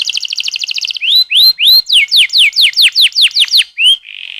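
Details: Vigorous rolling canary song played as a training lure for young birds: a rapid high trill, then a long series of clear descending whistled slurs repeated about five times per second, ending on a soft buzzy note.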